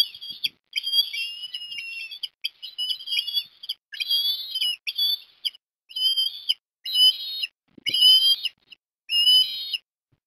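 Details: At Port Lincoln, Australia, 17 December 2021, an osprey calls while a chick is fed fish for breakfast: a long run of sharp, high whistled notes in clustered bursts, roughly one a second, unevenly spaced.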